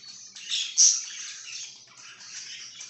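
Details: Pet budgie giving a brief scratchy warble with one loud sharp squeak near the start, then softer chatter.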